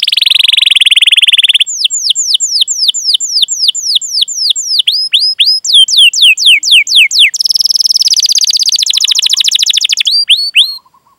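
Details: Canary training song with long chirping and rolls for young or silent canaries: a steady buzzing trill, a run of sharp downslurred whistles, then another dense roll and a few closing notes.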